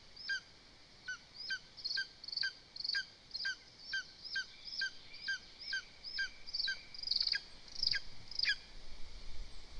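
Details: Lesser spotted eagle chicks at a nest in Zemgale, Latvia, while the mother feeds. Short, thin, sharp piping notes repeat steadily, roughly twice per second, growing slightly louder and fuller near the end over a faint hiss.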